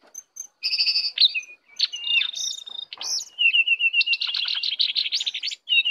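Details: Wild lesser shortwing (cingcoang coklat) coming in to attack, singing a rapid, high, jumbled warble of buzzy trills, sharp whistled notes and a long rattling run near the end, with short pauses between bursts.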